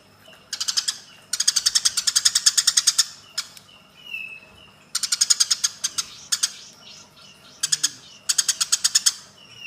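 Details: Fighting Eurasian tree sparrows used as a training track for cage birds: long, loud runs of scratchy chirps, broken by single chirps and faint whistled notes, returning in several dense bursts.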